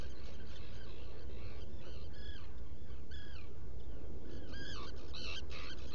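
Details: Black guillemots calling within a shallow nest burrow, Seal Island NWR, Maine, burrow cam, 20 June 2018, early morning. Scattered arched, reedy whistles, then a denser cluster near the end, all above constant low-frequency noise.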